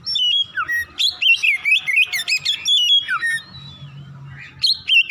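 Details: Rapid ngropel singing by an Oriental magpie-robin in the morning, loud ringing whistles slurring up and down in quick succession, a brief quieter pause, then the song resumes.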